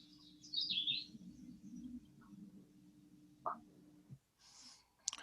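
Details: Philadelphia vireo song, Alabama/NW Florida region: one short, high, thin burry phrase, higher and thinner than Red-eyed Vireo, near the start, then a pause; a steady low hum and a few clicks follow.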